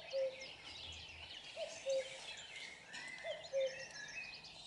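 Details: Close-up common cuckoo calling cu-coo three times at steady intervals, each a brief higher note dropping to a longer lower tone, over a dense background of twittering small birds.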